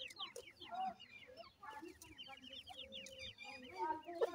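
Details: Feeding of Iranian partridge (irani teetar) chicks by a parent: runs of thin, high, falling peeps in quick succession from several chicks, plus low murmuring clucks and a brief clear whistled note near the end.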